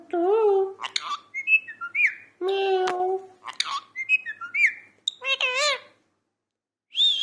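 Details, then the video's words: Parrot babbling and talking: nasal harmonic phrases alternate with short whistles, sharp clicks and bending chirps, then a wavering warble, a silent stretch and one last high whistled note. "parrot talking 🐦. talking parrot"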